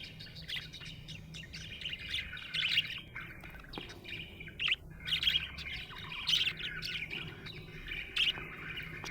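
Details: Happy budgerigar chirping: a lively stream of high, quick twittering notes and short warbled bursts, rising and falling in bunches every second or so, over a low steady background hum.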